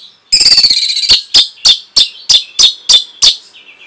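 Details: Orange-headed thrush masteran for caged birds: an opening buzzy rattle, then about eight sharp, evenly spaced, emphatic notes, roughly three per second, ending in a soft trailing warble.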